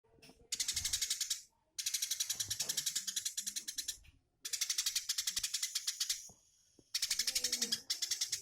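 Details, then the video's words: Eurasian tree sparrow giving the rapid 'tembakan' style song used for tutoring magpie-robins in Indonesia: dense bursts of fast, buzzy chattering pulses lasting about a second each, separated by short pauses, with faint voices and thumps underneath. "Burung gereja tembakan"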